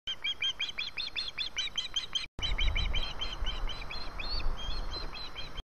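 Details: ['Osprey calling for food, 4 September 2017: a loud, urgent burst of repeated piping chirps, about four per second, briefly broken off and then resumed a little more unevenly over low rumbling noise.']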